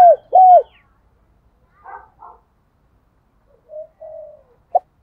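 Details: Spotted dove kept as a decoy to provoke wild doves. Two loud arched coos open, followed by a pause, faint mutterings, a soft drawn coo and a short final note.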